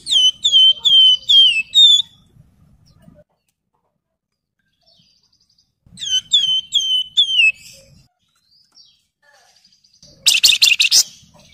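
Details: Wergan Jawa (Javan fulvetta) master and lure song. A run of five ringing whistles, each falling at its end, sounds twice, separated by silence. A loud harsh chattering burst closes the sequence.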